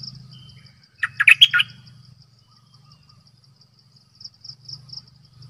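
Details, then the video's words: Decoy bulbul giving one short burst of bubbly, squeaky notes, followed by quieter notes, with a low engine-like drone and a high pulsing chirr throughout. "เสียงนกดอกแตงEp.112 Birds sounds #นกต่อเจ้าขันเงิน Suara burung merbah lekir"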